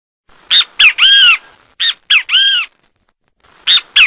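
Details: Singing great kiskadee (bentivi) from Brazil, giving its emphatic three-note phrase twice, two quick harsh notes then a longer ringing slurred note, with a third phrase starting at the end.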